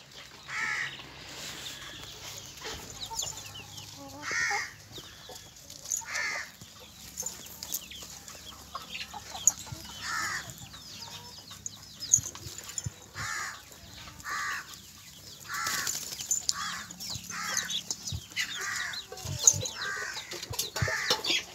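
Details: Kadaknath roosters near Erode give short, harsh, repeated calls about every second or two, with faint clucking between.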